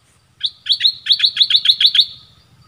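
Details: Red-whiskered bulbul singing: one note, then a rapid even series of about nine sharp, bright chirps at a steady high pitch, with a faint low hum underneath.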